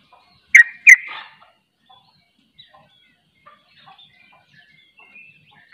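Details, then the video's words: Sooty-headed bulbul, locally trucuk, in 'ropel' song that draws other bulbuls in: two harsh, emphatic notes close together, a long quiet gap with faint chips, then another strong note at the end. "Ropelanya Bikin KAGET Trucuk Lain Ikut Ropel"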